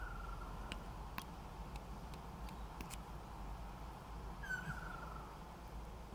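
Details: A male Ryukyu ruddy kingfisher on Ishigaki Island, holding a large earthworm while calling a female, gives a falling, whistled trill near the start and again later, over a steady low rumble and a few sharp clicks.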